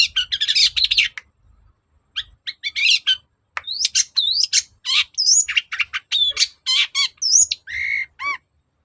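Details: Song of a long-tailed shrike, played to make another shrike respond: varied medley opening with scratchy chatter, then clear upslurred whistles, quick chips and a final series of hooked, lower whistled notes.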